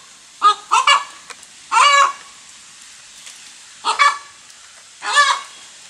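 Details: Hen after laying an egg, giving a few separate harsh, nasal squawks, singly and in pairs, spaced by pauses of one to two seconds.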